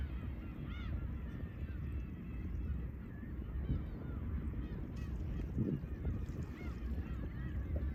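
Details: Black-tailed Gulls at Horozuki fishing port, Aomori, Japan, with a few clear arched mewing cries near the start and scattered fainter calls later, all over loud breaking waves and rumbling sea noise.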